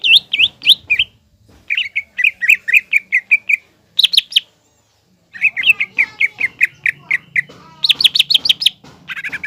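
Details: Green leafbird singing hard to stir up a young spotted leafbird: looping whistled notes, a string of evenly spaced chirps, brief silence, then another rapid chirp series and a final burst of high notes.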